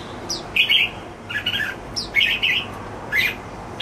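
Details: Caged red-whiskered bulbul singing contentedly indoors, giving four short, warbled, slightly buzzy phrases spaced about a second apart over a quiet background hum.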